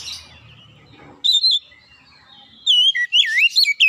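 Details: Oriental magpie-robin song used as a trigger recording for a bird that rarely sings. A short burst of clear whistles gives way to a quiet pause, then a longer run of loud, wavering, twisting whistled notes.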